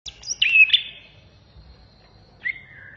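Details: Greater green leafbird, a native Indonesian songbird, in a tutor recording for training birds: a burst of high, slurred whistles and buzzy chatter, a long pause, then a second descending whistled phrase at the end.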